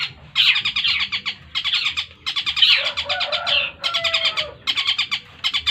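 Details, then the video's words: Young 8-month-old long-tailed shrike kept as a competition bird pours out 'tengkek buto' mimicry joined to 'greja yeret' chatter: fast clipped note series in short bursts, with a brief slurred descending whistle mid-phrase. "burung cendet full Tengkek Buto sambung greja yeret"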